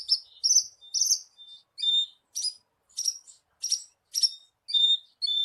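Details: Bushlark singing, used to prompt a caged bird to sing: a lively series of high chirps mixing buzzy notes with clear whistled tones, delivered as separate phrases about twice a second on a quiet background.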